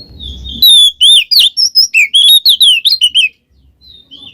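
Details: White-rumped shama in full open song with cackling notes, meant to lure a quiet shama into singing: loud rapid series of varied whistled, slurred high notes for about three seconds after a brief low rumble.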